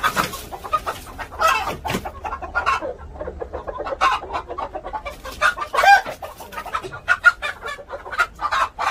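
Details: Korean native chickens clucking in dense, uneven bursts of short, sharp notes at about 44 per minute, some rising into louder squawks, with overlapping birds calling together.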